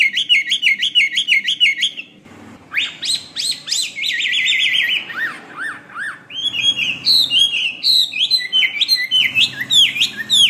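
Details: Chinese hwamei song recorded as master material for other birds: quick repeated whistled notes, a dip into quieter background hum, then varied loud slurred phrases and rapid trills with a low hum underneath.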